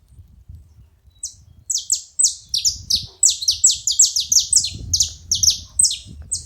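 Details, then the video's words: Saffron finches calling as a group, sharp descending high chirps starting sparsely and then tumbling together densely, almost three a second, with soft low background rumble underneath. "Canarinhos da terra junto fazendo barulho"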